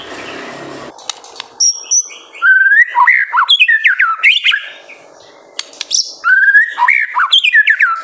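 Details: Active White-rumped shama singing as a master song for young birds: after a brief noisy start, a high whistle, then rapid varied phrases of rising and falling whistles, a pause, and another burst of fluty notes.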